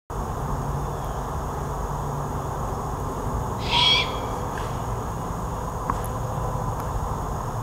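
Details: Young great horned owl, grown to full size but still calling for its parents to feed it, at Fenner Nature Center in Lansing, Michigan, 2021: a single harsh, hissing screech about half a second long over steady low rumble.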